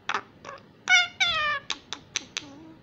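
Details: Young common myna, a female wild bird rescued from a fallen nest and raised indoors in Israel, learning Hebrew: clicks, then two drawn, harmonic, meow-like tones, followed by short sharp ticks and a low trailing note.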